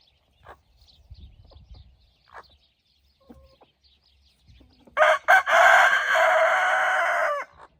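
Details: Rooster crowing on an evening when hens and roosters scratch in golden light, the birds guarding the hens: scattered soft clucks and small noises, then a loud, close, raspy crow starting with two sharp bursts and held about two seconds.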